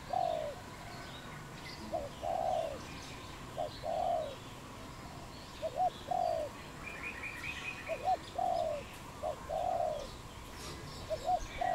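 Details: Cambodian wild dove, 23 April 2020, repeating a rhythmic cooing phrase of one or two clipped notes and a longer rounded coo, cycling every two seconds or so, with a brief twittering burst of another bird midway.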